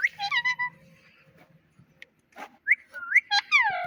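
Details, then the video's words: Pet talking parrot imitating sounds: wavering whistled phrases with a buzzy edge, a short quiet gap, then quick sweeping whistles that rise and fall steeply. "Cute Talking Parrot"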